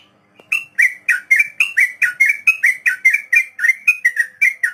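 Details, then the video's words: Sooty-headed bulbul (trucukan) singing a long 'ropel' song, used as a master recording to teach untamed beginner birds: a fast run of loud, short whistled notes near the same pitch, about four per second, on a quiet background. "Trucukan Ropel panjang || masteran buat burung trucuk pemula"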